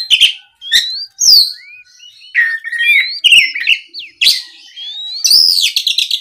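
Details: An Oriental magpie-robin, stirred by a rival, sings a lively string of whistled glides, scratchy notes and sudden sharp chips, finishing with a harsh, rasping chatter.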